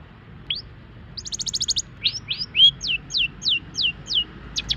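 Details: Long-tailed shrike that has just moulted, singing a master song: a single rising note, then a fast trill of short high clicks, followed by about eight downslurred whistled notes, each roughly a third of a second apart.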